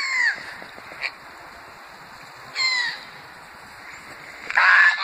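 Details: Greylag geese gathered around the Thames Path at Iffley Lock on the River Thames, Oxford, England: one gives three harsh, nasal honks, each under half a second, over five seconds with a brief clipped note between; quiet outdoor background.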